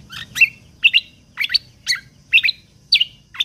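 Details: Lesser green leafbird (kecial kombok) in full 'tembakan' song for training contest songbirds: loud, sharp, ringing chips paired into quick double notes, repeated roughly every half second against near silence.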